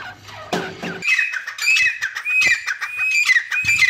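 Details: Grey francolin (teetar) calling: a short burst of rough noise, then a run of squawky notes with rising and falling ringing tones, repeated roughly every half second until the end.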